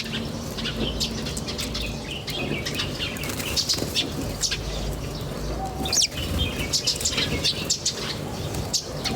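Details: Outdoors in nature, several birds keep up lively high-pitched chirping and twittering, some notes sharp and clipped, over a steady low droning hum.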